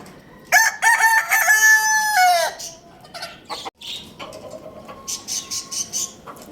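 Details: Lohmann Brown rooster crowing loudly in the morning at Lalukhet bird market: one harsh harmonic-rich crow lasting about two seconds, held then dropping at the end, followed by quieter clucks and chirping small birds.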